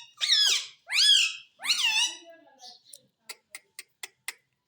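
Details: Talking parrot, said to say mummy and papa: three loud, harsh, harmonic word-like phrases, each bending down in pitch, followed by a row of five or six sharp clicks or taps.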